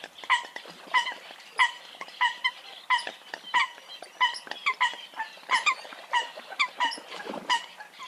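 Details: Eurasian coots calling: clear, nasal, honking notes repeated about once a second, with softer overlapping calls from other birds behind them.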